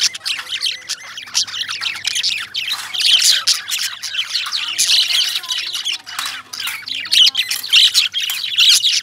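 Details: Indian lovebirds chirp and squawk almost nonstop, a dense chatter of shrill, rapid high notes with harsh screeching bursts overlapping from several birds.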